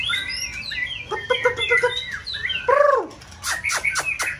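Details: Competition white-rumped shama in full season, stimulated to sing; overlapping whistles and chirps, a stuttering lower note sequence, a deep downslurred phrase, then rapid harsh downward sweeps.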